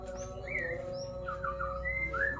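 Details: Ashy drongo singing actively and showing off its varied repertoire: a faint series of clear whistled notes, some rising, others slurred and falling, over a steady low hum.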